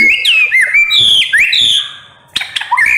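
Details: White-rumped shama delivering a bright, sustained whistled phrase with upward and downward slurs. After a short pause, a crisp click introduces a new twisting whistle sequence.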